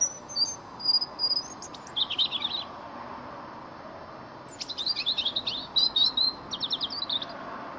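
A European robin sings two thin, high phrases of sweet warbling and sharp trills, separated by a pause of about two seconds, over faint background hiss.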